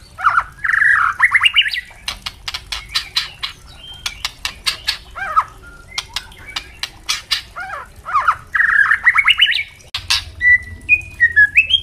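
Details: White-rumped shama singing for training captive birds: rich whistled phrases rising and falling, broken by bursts of sharp clicking crackle notes, then more fluted rising runs and thin high whistles at the end.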